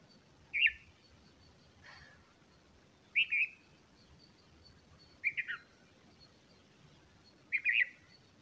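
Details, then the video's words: Bulbul feeding its chicks: short bright chirps at fairly high pitch, in brief clustered bursts about every two to three seconds, with one fainter, lower note between them over a quiet background. "Bulbul feeding chicks"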